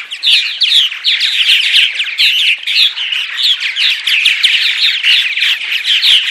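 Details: Purple martin morning chorus, meant to lure martins: loud, unbroken chattering of many birds, gurgled chirps and scratchy warbles tumbling together with small peaks of sharper notes every half second or so.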